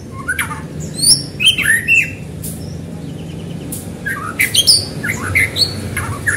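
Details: White-rumped shama singing as a lure to set other shamas singing: bright ringing whistles, downslurs and sharp clicks in irregular bursts, with a faint rapid trill in the middle and low hum beneath.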